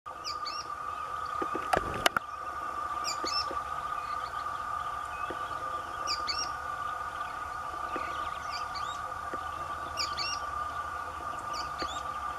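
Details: A pair of Sooty-fronted Spinetails (Synallaxis frontalis) in the Brazilian caatinga sing together. They repeat short, high, two-part phrases every few seconds over a steady hum.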